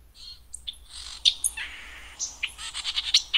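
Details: White-eyed Vireo song, heard in early September: a quick, jumbled run of sharp chips, squeaky slurred notes and a brief mewing phrase, all high-pitched over about three seconds.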